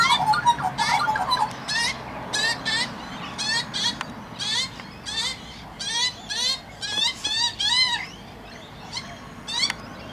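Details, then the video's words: Young magpie, not long out of the nest, being fed by an adult in a backyard: repeated harsh, wavering squawks about once a second, each with a rising-falling bend, over steady background noise. "Magpie feeding a young one"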